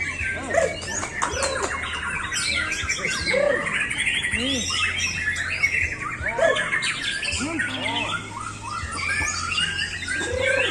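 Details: White-rumped shama singing from one spot without much display while still showing its repertoire; a dense stream of varied chirps, squawks and sweeping whistled notes, closely overlapping, over a steady low hum.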